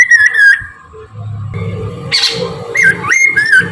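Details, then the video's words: Morning song of a Chinese hwamei, recorded as a lure for birds: several short, clear, warbling whistled phrases with bending notes, mixed with low rumbling background noise and a steady hum. "kicau gacorr poksay Mandarin dipagi"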